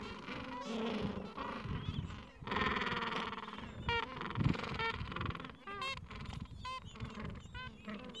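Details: Breeding colony of gentoo penguins in the Falkland Islands, mild afternoon, parents tending chicks aged two to three weeks; a long loud braying call with rapid pulses mid-clip, followed by scattered short nasal squawks from neighbours.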